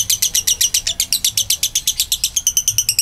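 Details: A Kabayan lovebird's long ngekek chatter, used to coax other lovebirds to sing: rapid, grating notes at about seven per second with a thin whistled edge running through parts of the trill.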